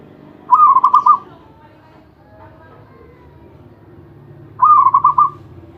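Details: Two rippling phrases from a champion zebra dove, each a fast string of pulsed coos at a level pitch lasting under a second, separated by about three and a half seconds of quiet background.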